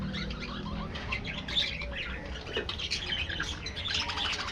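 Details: Colony of budgerigars in an aviary twittering softly, scattered high chirps and warbles, with a low hum in the background.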